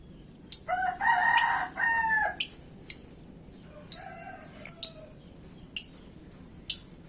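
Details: Caged lovebird, hung up and worked up, giving sharp, shrill high chirps in irregular bursts, some several seconds apart; a rooster crows loudly early on, and a lower note drawls briefly in the middle.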